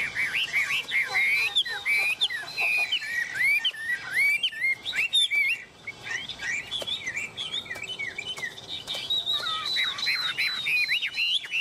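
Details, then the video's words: Tame Chinese hwamei singing on a hand: continuous stream of high, varied whistled slurs and quick chattering notes, a brief pause midway, then rapid twittering phrases again. "Họa mi ôm cóng cực sung trên tay"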